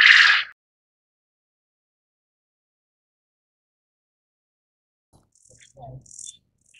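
A Japanese quail gives a single loud, harsh, raspy burst lasting half a second, then silence, with a few faint clicks and rustles near the end.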